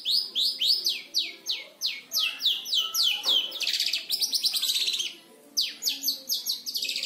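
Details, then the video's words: Captive young long-tailed shrike aged five months mimicking lovebird and canary, delivering a hurried stream of high, slurred squeaks and buzzy chatter, with a short pause before the rapid notes return. "Cendet Umur 5 Bulan Belajar Nembak Lovebird Dan Kenari Secara Fasih"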